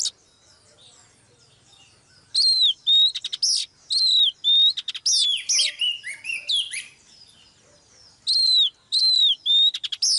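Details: Female Oriental magpie-robin kept to train a male's singing, delivering bursts of loud clear whistles that dip and rise, mixed with varied twittering phrases, separated by short pauses.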